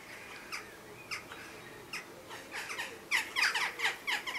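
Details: Western jackdaw squabble around a chimney nest with chicks inside, perhaps neighbours or an unsuccessful pair harassing the owners; scattered single harsh calls at first, then a rapid burst of loud overlapping calls near the end.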